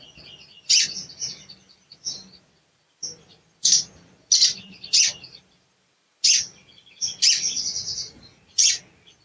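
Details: Sharp, high cuit notes from a sooty-headed bulbul, used as a lure to rouse a bird that will not sing. The notes come irregularly, sometimes in pairs, with brief twittering runs between them.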